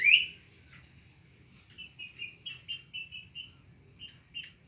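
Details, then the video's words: Cinnamon tanager song opening with one loud rising note, then a quieter string of short, evenly spaced warbled notes after a brief pause, over a soft low background hum. "Bicos de Veludo dando show"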